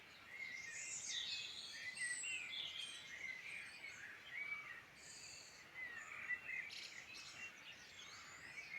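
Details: Birdsong in the Midlands of Ireland: a dense mix of bright twittering phrases and thin high whistles from several singers, rising and falling, with a steady faint background hiss.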